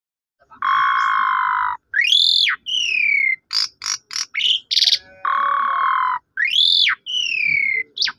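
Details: Asian pied starling song played to provoke a silent bird into singing: long harsh rasping notes alternate with loud rising-then-falling whistles and short stuttering bursts, in a clean recording.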